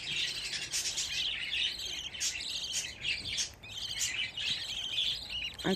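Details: Fifteen budgerigar babies crowded together chatter steadily in high-pitched, rasping chirps and warbling trills, with strong bursts near one, two and four seconds and a faint low knock at the end.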